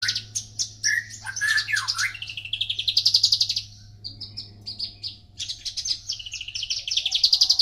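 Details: Javan bush lark song: a dense, varied stream of sharp chirps, buzzy trills and short whistled slides, mostly high-pitched, with brief pauses around four and five seconds; a steady low electrical hum runs underneath.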